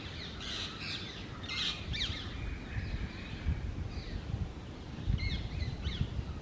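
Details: Wild pair of Indian ringneck (rose-ringed) parakeets at their nest hole in a dry branch of an old urban tree; several short, harsh, screechy calls scattered through the clip over steady low rumbling background noise.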